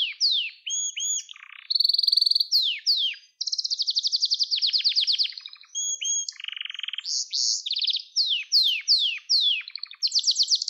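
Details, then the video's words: Gloster canary song meant to train young canaries and excite them into singing: a varied, fast medley of high chirps, buzzy rolls, descending slurred notes and sharp trills, delivered almost without a break. "Gloster Kanarya Sesi Ve Ötüşü"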